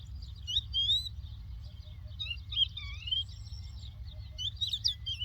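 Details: Lark from the land of Doukkala singing a fast, continuous run of warbled, rising and falling whistled phrases with sharp high flourishes near the end, over a low background hum.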